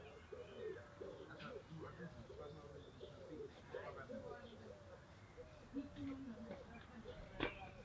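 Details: Vorwerk hen sunbathing in Fjerkøbing, Denmark: a steady run of short, low, nasal notes, about ten in eight seconds, with distant talking and faint songbird chirps behind.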